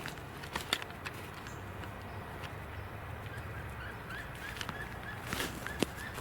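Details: A wood duck, possibly flying over, gives a few faint, rising squealed notes, spaced irregularly through a steady rush of wind and background noise; three ducks seen in the air nearby.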